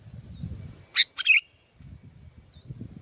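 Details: Sooty-headed bulbul from Curug Agung, Subang, West Java, Indonesia, in lively song. It delivers a single quick phrase of a clear chirp and a warbled, slurred whistle, with soft low background rumble before and after.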